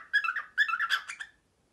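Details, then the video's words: Early-morning imitation of a printer by a male pet cockatiel indoors: two short bursts of scratchy, rhythmic mechanical pulses, the second ending in a few higher chirpy notes. "Mango is a Printer!"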